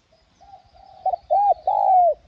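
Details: Spotted dove (cu gáy) lure call: a soft rising lead-in of faint coos builds into louder hollow notes, ending with a long drawn-out falling coo.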